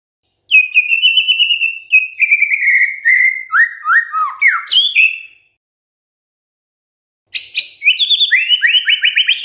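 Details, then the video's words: Energetic White-rumped shama song for triggering idle shamas to sing: a long string of rapidly repeated whistled notes stepping gradually downward, a brief silence, then another fast rattling run of repeated whistles. "DENGERIN INI MURAI BENGONG LANGSUNG BUNYI GACOR"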